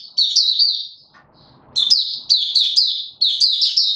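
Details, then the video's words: White-eye, a male kept in training for form, singing its opening song on 31 December 2021: quick high warbled trills of slurred notes in three bursts after a brief quiet gap. "Mata Puteh - Raja V2 Pushing him on form buka sing"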